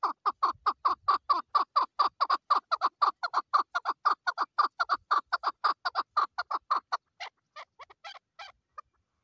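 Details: A female chukar partridge calls in a long, rapid series of sharp, downward-slurred notes, about two a second. The notes are steady and loud at first, then slow, space out and fade toward the end. There is no other noticeable background sound.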